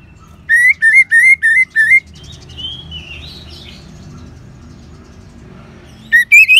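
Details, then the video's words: Orange-headed thrush song used to encourage caged birds to sing, northern Bali: five evenly spaced rising whistled notes, a soft warbled passage, then a loud burst of chirps at the end. "Suara Ngeban Untuk Pancingan ANIS MERAH"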